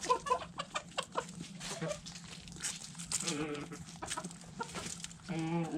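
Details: Backyard hens feeding on food scraps give short clucks and a few drawn-out harmonic calls, mixed with sharp pecking taps and rustling.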